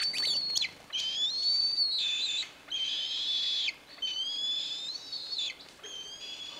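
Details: Bald eagle in Michigan giving high, thin whistled calls, several drawn-out piping notes about a second long with slight rises and falls, some overlapping as if from more than one bird, separated by short gaps.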